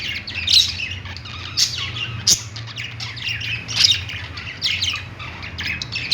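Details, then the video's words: Perched budgies in a pet store giving a mix of short upswept chirps, squawks and sharp clicks, scattered irregularly across the stretch, above a persistent low hum. "budgies singing on perch | parakeet chirping sounds in pet store"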